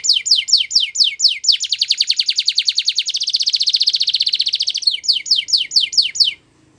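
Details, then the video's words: Belgian canary, song meant for training young canaries: descending chirps, a long fast rolling trill of about three seconds, then more spaced descending chirps. "Canary Singing Training !! Belgian Canary"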